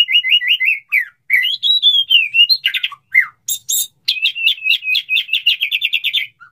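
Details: Male white-rumped shama of the Medan type courting a female and wanting to mate: a loud, varied song opening with a quick wavering trill, then sliding whistled phrases, harsh chattering bursts, and a fast, evenly repeated warbling trill to close.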